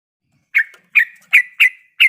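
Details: A sooty-headed bulbul female in breeding condition calls the male with five sharp, slightly falling notes, each trailing into a brief tail, repeated about every third of a second in a quiet setting.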